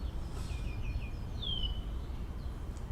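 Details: A spotless starling, likely the one breeding in the Urdaibai Bird Center tower beside the marsh, sings on an afternoon on 25 March 2021, imitating a golden oriole: short whistled slurs, then a long clear descending whistle, over heavy low rumbling.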